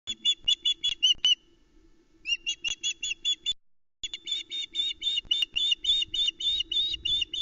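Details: Female osprey screeching at a nest in the Arkaig Community Forest, Loch Arkaig, late at night on 8 July 2020 as the male brings a small trout to the chicks; sharp, harsh, rapidly repeated calls in bursts with a short pause.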